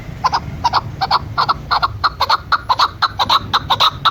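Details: Female chukar partridge calling in a hunting setting: a steady run of short, hoarse clucking notes, about two per second, rising slightly in pace, with low background rumble.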